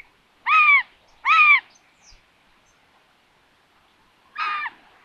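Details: Common buzzard at a solar-powered nest camera in Tiszalök, Hungary, on June 21, 2022, during a food delivery to an empty nest; three loud downslurred mewing calls with harmonics, two close together near the start, one more about three seconds later.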